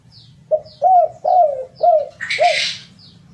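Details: Cooing spotted dove: a series of mellow, falling coos in steady succession, one briefly overlapped by a noisy burst, with faint high chirps of another bird behind.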